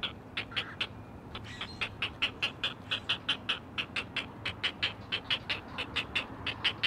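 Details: Chesapeake live camera on a nest of four great blue heron chicks calling to their mother; a steady run of rasping, clacking notes, about one and a half per second, with a faint hum behind.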